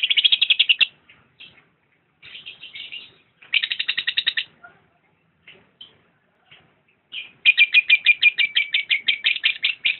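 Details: Lovebird song in bursts of fast, harsh, rattling chatter, each burst about a second long, with a few single squeaky chirps in the quiet gaps between them and a long, loud, rapid burst at the end.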